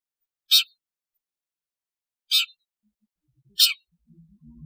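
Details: Long-tailed shrike calls as in the wild: three short harsh rasping notes, each about a quarter second, spaced roughly one to two seconds apart, with faint low rumbling near the end.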